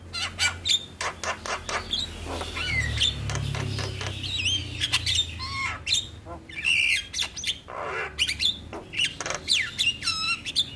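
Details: Starling singing in the morning as a lure to make kept birds sing: loud irregular harsh squawks, whistled slurs and clicking bursts over a faint low hum.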